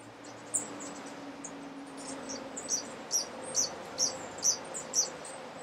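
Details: Golden tanager (Tangara aurulenta goodsoni) in Alambi Cloud Forest Reserve, Ecuador, May 2012, giving very high, thin, sharp tsit calls, about two per second after a single opening note, over a low steady background hiss.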